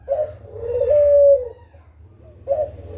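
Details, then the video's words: Kugeruk call played as a lure to draw answering birds: a low, hollow coo opening with a short rough note, then a long, steady, slightly falling hoot of about a second and a half, with the next call beginning. "Suara Burung Kugeruk Cocok Buat Pancingan di Jamin Langsung Nyaut 100%"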